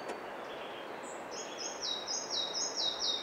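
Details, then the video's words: A Red-breasted flycatcher sings at Kosaře, Czechia: a quick series of high, sweet notes about twice a second, falling toward the end, over a steady background hiss. "Lejsek malý"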